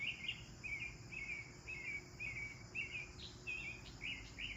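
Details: Repeated chirping from sparrows enjoying a bath: short buzzy notes come in an even series, about two per second, a few rising higher near the end. A faint constant high hiss sits in the background.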